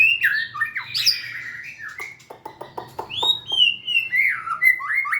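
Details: White-rumped shama, shown dancing and wagging its tail, sings a varied run of rich whistles, harsh squawky notes and quick clicking chips, with phrases sliding up and down; a faint low hum underneath.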